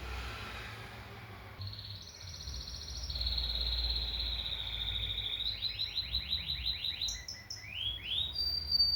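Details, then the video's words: Canary singing after a quiet start: long flat high whistles, then a series of quick descending sweeping notes and sharp rising chirps toward the end. "O IMPORTANTE É QUE O CANÁRIO CANTE"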